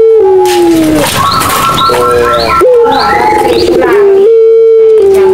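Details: Madura-style pelung coo of a Barbary dove, played as a lure to get silent doves calling: long, drawn-out tonal notes that slide gently downward, overlapping with other cooing doves, with faint higher chirps behind.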